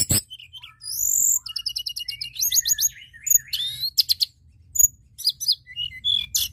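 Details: White-browed shortwing singing vigorously as a lure for other birds: a long high whistle, then rapid rhythmic chip trills, buzzy rising notes and chattering bursts in quick succession, over faint low hum.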